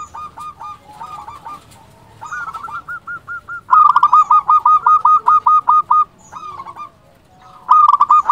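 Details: Vocal local zebra dove with a big voice, used as a lure to provoke doves into replying. Several bursts of quick staccato cooing notes at about two and a half per second, the loudest run in the middle, then a pause.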